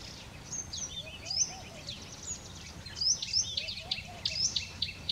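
White-naped tit giving thin, high, sharp notes and short whistled chirps in quick irregular bursts, over a steady hiss with other faint birds.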